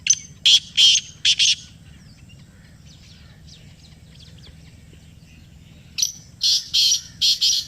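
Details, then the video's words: Black francolin responding to a played call with two bursts of harsh, rasping notes, four at the start and five more after a quiet gap of about four seconds, over faint rural background. "یہ آواز سنائی تو کالا تیتر بول اُٹھا . Kala Teetar Ki Awaz | Black Partridge Voice"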